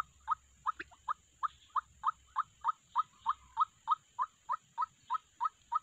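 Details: White-breasted waterhen calling, a sound used to lure birds into traps: a steady series of loud, short nasal notes, about three per second, seventeen in all, evenly spaced against a quiet background.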